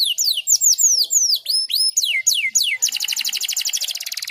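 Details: Canary song used as a master recording for training young canaries, in a unique phrase style: fast high whistled slurs sweeping downward, then a rapid even trill of buzzy repeated notes.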